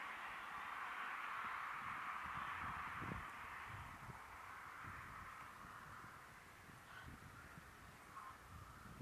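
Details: A flock of American flamingos (Phoenicopterus ruber) at the Lagunska ribogojnica nature reserve on 15 February 2024 keeps up steady, goose-like gabbling and honking, many voices overlapping without pause, over a low background rumble.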